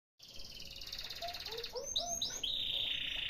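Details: Canary song played as a lure to stimulate a canary that is lazy to sing: after a brief silence, rapid high buzzy trills lead into a series of rising and falling whistled notes.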